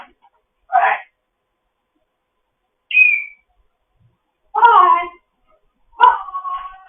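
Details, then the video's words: Grey parrot kept in foster care, chattering in the morning: scattered single calls separated by silence, a short squawk, a thin high whistle, then two richer mimic-like syllables. "Zhivago having a morning chat"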